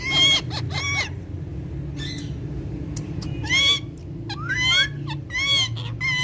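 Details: Ringneck parrots that speak Urdu and Hindi utter grouped, nasal harmonic phrases with dips and rises, separated by short pauses. Soft background music hums.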